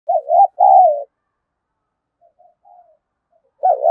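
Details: Spotted dove cooing to provoke a rival into competing: a loud two-part low coo with a wavering first note and a longer falling second, then faint soft notes, and another loud coo starting at the end.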